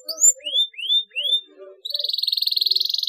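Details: Canary chirps for prompting silent canaries to start singing: three rising whistled slurs, then a steady fast pulsing trill.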